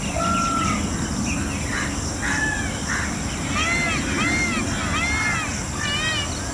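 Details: An Indian peafowl (Pavo cristatus) gives a few scattered fainter notes, then a run of short, nasal, arching calls, about two each second, over steady broad background hiss.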